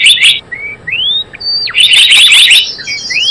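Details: Java sparrow trapping lure: a few high chips, then slow thin whistles that rise or glide downward, followed by a dense chattering burst of chirps and more rising whistles.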